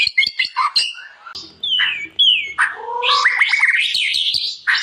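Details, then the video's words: White-rumped shama (murai batu) singing for a training compilation: varied phrases mixing sharp clicks, slurred descending whistles and a rising warbled series, with a faint low hum beneath. "KOMPILASI MURAI BATU - KUMPULAN BEBERAPA SUARA OCEHAN BURUNG MURAI BATU GACOR UNTUK MASTERAN MURAI"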